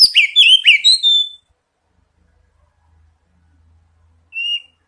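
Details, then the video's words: Oriental magpie-robin song used as a lure to prompt singing: a loud burst of sharp, downslurred whistled notes lasting just over a second, then silence and a single clear whistle. "Pancingan kacer bahan dan terapi bunyi | cepat bunyi respon"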